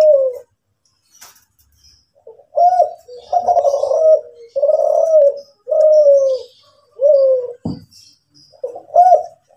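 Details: Kelantan-type spotted dove, a national champion of the seven-note (kuk 7) style, cooing in low, smooth, slightly falling notes strung together after a brief silence, with a sharp click midway and faint high chirping in the background.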